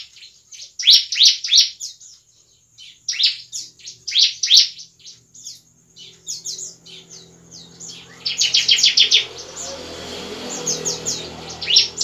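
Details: A bar-winged prinia sings at night in bursts of high, sharp, rapidly repeated chirps in clustered phrases, with a faint low hum in the background; the recording is used as a lure for the species.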